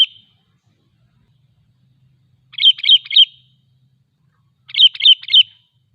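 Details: Bubbly triple-note phrases from a sooty-headed bulbul, two bursts roughly two seconds apart in near silence, played to trigger singing in other bulbuls and attract wild birds.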